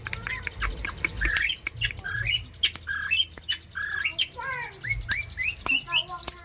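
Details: Long-tailed shrike kept as a pet bird, in active song: varied whistled and upslurred notes, some rising steeply, mixed with squeaky chips and short trills, delivered in an uneven, chattering sequence.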